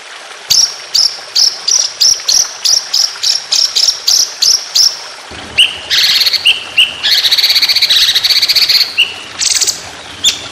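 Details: Contest-style white-rumped shama song, the tembakan panjang roll speed type, opening with evenly spaced high piercing notes about three per second, then switching to dense buzzy rattles and varied whistled phrases.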